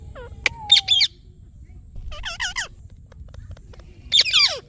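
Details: Rose-ringed parakeet calling in natural sound: loud, harsh, squawky notes in bursts, some with wavering falling pitch, one long steady whistled tone, separated by short quiet gaps over a low background hum.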